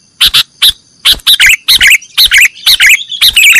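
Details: Sooty-headed bulbul song in the nggaruda style, recorded to train cage birds. Paired harsh chips lead into a steady series of short, bubbly swooping phrases about twice per second.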